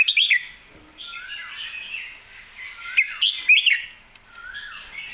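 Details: Red-whiskered bulbul, excited, singing clearly: quick loud whistled notes open the phrase, soft rising warbles follow, then another cluster of bright sharp notes near the middle before quieter trailing phrases. Other birds sound faintly behind.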